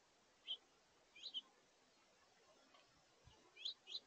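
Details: A house finch family feeding at a bird feeder, juveniles sharing space, at brunchtime on 17 August 2023. Brief high chirps: a single note, a quick double, a pause, then two more close together, over low hiss.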